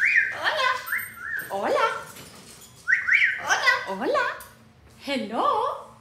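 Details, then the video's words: Pet parrot speaking indoors in a string of short, nasal, word-like phrases with stepped whistled notes between them, several bursts spread over six seconds. "Loro dice que el es una preciosura"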